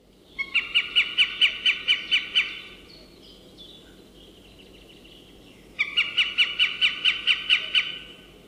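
A Northern Goshawk gives two bursts of harsh, loud kek-kek-kek notes, about ten quick notes in each two-second series, with a pause between bursts.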